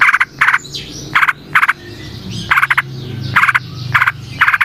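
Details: Wild yellow-vented bulbul, natural sound used as a lure for other bulbuls. Paired bursts of harsh, rapid notes alternate with pauses, with a low rumbling background and faint whistles.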